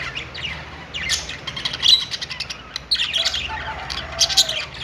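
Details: Caged budgerigars in a pet store chatter on a perch, with scratchy high chirps that swell into louder warbled bursts near two, three and four and a quarter seconds, above a soft low hum.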